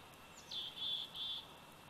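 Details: Bald eagle eaglet aged 104 days at the Big Bear Valley nest, 27 July 2019, via nest cam: a faint descending squeal leads into three high, piercing, evenly spaced whistled notes.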